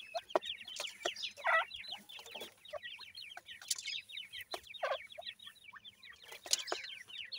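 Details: Grey francolin chicks kept for breeding chatter while feeding, a continuous mass of short rapid chirps and peeps with occasional louder clucks standing out from the brood.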